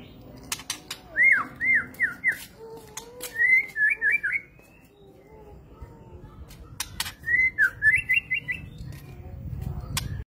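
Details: White-rumped shama singing three bursts of clear whistled notes, each ending in a quick run of descending trilled slurs at mid-high pitch, separated by pauses, with sharp clicks and a low background hum.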